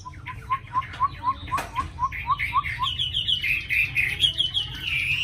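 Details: Tame Chinese hwamei praised for a very fine voice and readiness to sing, opening with a run of about a dozen evenly spaced low whistled notes, then a rising, higher, rapid warbled phrase.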